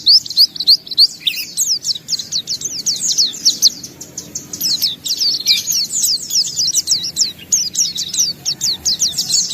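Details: White-eye in full vigorous song displaying its repertoire: a dense, continuous stream of high, fast chattering notes and quick downslurred whistles with hardly any gaps, over a soft low rumble.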